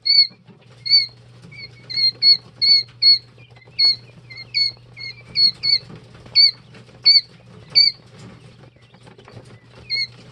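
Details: Young Jumbo White Quail chicks, two and three days old, peep continuously with bright, high whistled notes, some in quick pairs, repeated steadily over ten seconds with light rustling and a low background hum.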